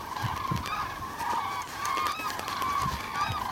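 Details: Common cranes on southward migration, 9 November 2014: dense overlapping trumpet-like calls, several distinct rising and falling notes, with soft low thumps underneath.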